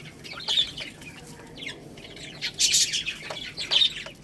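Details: Young chickens feeding on rice give a few falling high chirps and two louder bursts of peeping near the end, with faint clicking below.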